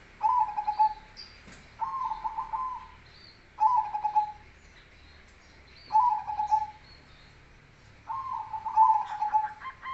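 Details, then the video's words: Zebra dove (perkutut), a black cemani variety, singing in a deep bass voice in the kolbuntet style. Low purring, trilled coo phrases about a second long, repeated every two seconds or so, with faint high chirps of other birds behind. "suara bas burung Perkutut manggung gacor cemani Kolbuntet"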